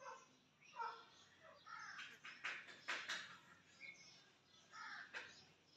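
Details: Black partridge (kala teter) from Chakri being readied for a trial match: a series of harsh, grating, crow-like bursts clustered near the middle, rising and falling in loudness, with a human voice audible early and faint rural background.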